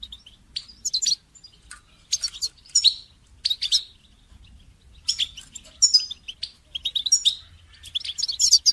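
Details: Goldfinch song meant for training songbirds, with long bursts of bright twittering, high metallic notes and scratchy trills separated by brief silences.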